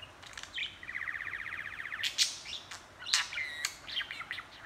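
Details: Chattering pet budgerigar giving a long buzzy pulsed trill, followed by sharp clicks and short whistled squeaks mixed in a rapid, uneven babble.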